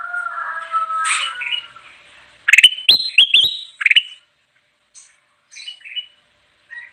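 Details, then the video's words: Bulbul song, a constantly singing bird used to lure wild birds: a soft warbled phrase opens, then a burst of sharp, bright chirped notes with clicking attacks around 2.5–4 seconds, and a few scattered short chirps after. "suara burung kutilang emas gacor cocok banget buat pikat"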